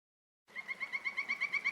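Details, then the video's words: Morning birdsong in the mountains of Dagomys, Sochi: after a silent start, a fast, even series of clear, piping notes repeated about eight times a second, with no other sounds. "Послушайте пение птиц с утра"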